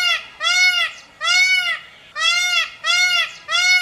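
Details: Peafowl calling: loud, ringing, strongly harmonic wails, each arching up and down, repeated in quick succession, about six in under four seconds, with short gaps between groups. Nothing else is clearly heard.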